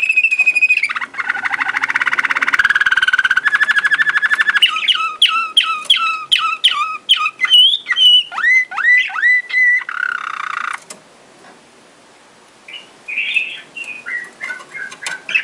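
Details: Malinois Waterslager canary from Sakarya, recorded in 2011: a sustained warbling roll opens into a series of liquid, downward-slurred gurgling notes repeated quickly. A short pause follows, then softer rising and falling whistled phrases.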